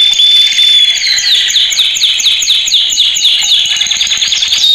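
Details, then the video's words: Male canary training song: a clear sustained whistle opening into a series of evenly spaced descending chirps, then a rolling high trill with a final whistle. "Kanarya Eğitim Sesi Erkek / Kanarya Eğitim Ötüşü"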